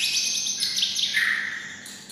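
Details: Kept white-rumped shama mimicking red-whiskered bulbuls: a brief loud high warble sliding down into a clear whistled note that fades out.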